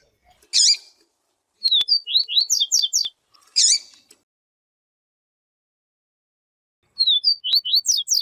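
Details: Siu siu style song of a yellow-bellied seedeater tutor, joined by a calling female meant to stimulate the male. Twice a rapid chain of high sliding chirps runs, each with harsh loud buzzy bursts before it.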